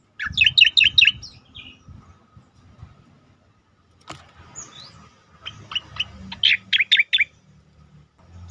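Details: Striated grassbird 'tembakan' phrases used as a master track to train and provoke other birds: a fast string of five loud, sharp chirps, a quiet gap, then further chirp runs rising in intensity, with light background hiss.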